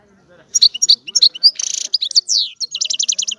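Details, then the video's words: Spaced bright chirps lead into a harsh buzzy burst, a few slurred descending notes, then a quick run of about eight ringing chirps from a European goldfinch. "الحسون - هذا الطائر يغني. بأجمل صوت موجود في البرية"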